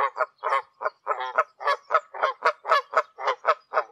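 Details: Wild Canada geese (Branta canadensis) calling in flight high above the ground in Canada: a busy, overlapping chorus of nasal, two-toned honks, about four per second, several birds out of step.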